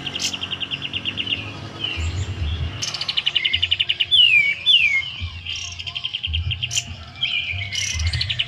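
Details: A captive sooty-headed bulbul in full song, kept as a lure bird at home, gives bright, chattering, rapid notes and short rising-falling whistles, busy and repeated, over low hum and faint background noise.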